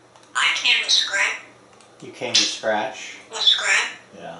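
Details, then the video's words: Male African grey parrot living indoors in a Texas home, making one of his many noises: three harsh, raspy squawk bursts, each broad and grating with speech-like tone, separated by short pauses. "Einstein is Talking and Making Noise"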